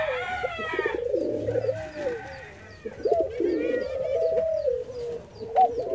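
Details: Jamaican white-crowned pigeons, hand fed, produce trilling, warbling tonal notes in long runs, with a brief squeaky upper note at the start and soft handling sounds.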